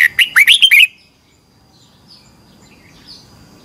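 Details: Red-whiskered bulbul competition singing in the morning, twisted-voice style, used as a lure to train birds: a quick burst of about six bright, swooping warbled notes in under a second, then near silence with faint distant chirps.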